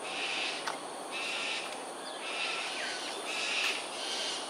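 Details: Cockatoos in aerial display over Sungei Ulu Pandan, Singapore, at 7.43am on 13 January 2022. Harsh, broad screeches of about half a second come roughly every second, with a steady background hiss.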